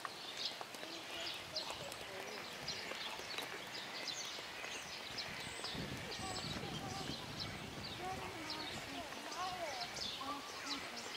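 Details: A crowded flock of greater flamingos at Opole Zoo gives a steady goose-like babble of nasal honks and low grunts, many birds calling at once without pause.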